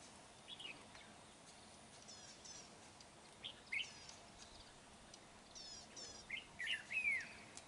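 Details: Red-whiskered bulbul at a trapping site, 31 January 2019. Scattered short whistled chirps lead into a livelier cluster of slurred, warbling notes toward the end, over a low steady hiss.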